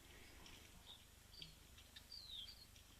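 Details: At an African waterhole on 24 May 2025, a Cape wagtail gives a few faint, high, thin chirps, one sliding downward, over a low rumble of background noise.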